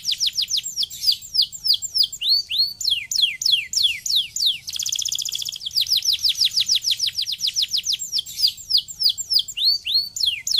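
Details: Canary song played to stimulate other canaries to sing: fast rolling series of high, sharply falling whistled notes repeated several times per second, broken by a brief buzzy trill in mid-phrase before the rapid sweeps resume.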